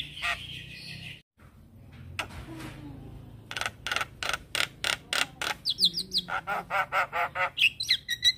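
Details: Black-winged starling singing energetically with head-nodding: a harsh opening burst, a short pause and low murmur, then a fast, steady train of loud, rasping chak notes, about one and a half per second, with squeaky whistled inserts.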